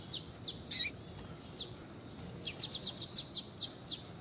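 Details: High chirping from a female double-collared seedeater, used to prompt a male to sing: a few spaced tweets and a longer warbled note, then a steady row of about ten quick, bright chirps.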